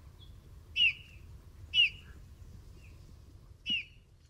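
A Eurasian bullfinch gives three soft, short piping whistles, each dipping slightly in pitch, spaced about one to two seconds apart over a quiet low hum.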